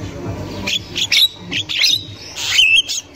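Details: Javan myna singing in the wild: scratchy chattering squawks broken by brief whistled notes, ending in a clear slurred whistle that dips and rises, over faint low rumble.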